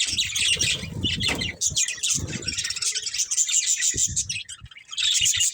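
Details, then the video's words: Continuous budgerigar chatter from a breeding pair: a thick wash of high, buzzy chirps and squeaks over low rustling and clicking noises. "Beautiful Budgies Chirping Sounds"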